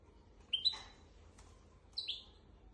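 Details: Goldfinch x canary hybrid with song meant for teaching goldfinches and canaries: two short clusters of high, falling twittered notes separated by a pause, with little else audible.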